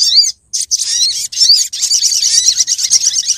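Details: Lure call of a female sogok ontong sunbird summoning the male, from Lumajang: an almost unbroken stream of high, fast twittering and slurred chirps after a single opening note.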